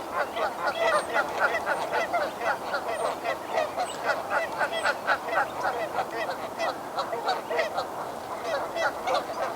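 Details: Territorial geese with neighbouring territories at Sspopiikimi on a Friday morning, cooling off after a fight and testing boundaries; continuous rapid nasal honking, roughly four honks a second, from several birds overlapping, with faint high chirps from other birds.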